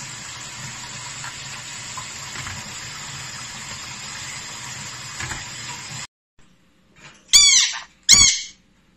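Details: Pet sun conure indoors: a long stretch of running-water noise gives way to two short, harsh squawks with rasping, rising notes near the end.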